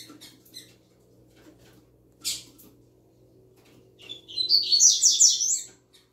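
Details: Young, newly learned double-collared seedeater delivering its 'tui tui zel zel' song: a quiet rustle and one sharp chirp, then a loud run of fast, buzzy, twittering high notes lasting almost two seconds.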